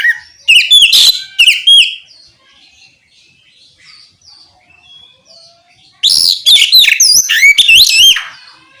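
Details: Oriental magpie-robin singing in the loud ngeplong style, meant to provoke other magpie-robins into answering: two clusters of rich, rapid whistled notes, high sliding and warbled phrases, separated by several seconds of near silence.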